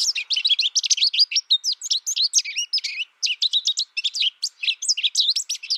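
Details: Captive American goldfinch reared alone, hearing only a recording during its first year, pours out quick, tumbling tweets and twitters, nearly unbroken across about six seconds.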